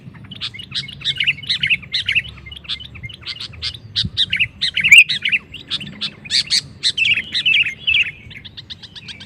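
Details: Sooty-headed bulbul (kutilang) in provoking song aimed at other males: continuous quick chirps and bubbly warbled phrases, growing denser midway, ending with a rapid string of thin high notes.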